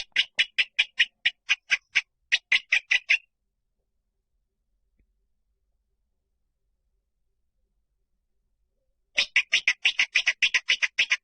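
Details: Rail lure call in rapid bursts of harsh, clipped notes, roughly fourteen in about three seconds, then a long silence before another fast run of the same notes.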